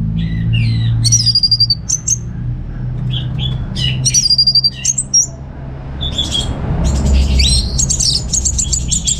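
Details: Captive orange-headed thrush in North Bali singing receh-style phrases: clustered high chips and short slurred whistles in uneven bursts. A steady low hum lies underneath and the bird grows busier toward the end.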